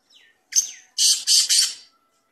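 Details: Black francolin calling: a faint thin note, then a sharp harsh note followed by three loud, grating, buzzy notes in quick succession, each about a third of a second long, against a quiet background.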